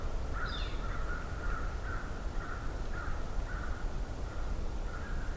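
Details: At Johnston Harbour in mid-May 2023, a group of American crows calls while heading toward the recorder. Muffled caws repeat about twice a second over a steady low hum, with one brief high chirp near the start.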